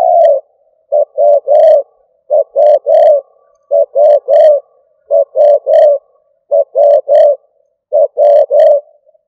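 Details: Decoy spotted dove cooing in the stuttering style: steady three-note phrases, two short coos then a longer one, repeated roughly every second and a half, low and mellow, no other sounds.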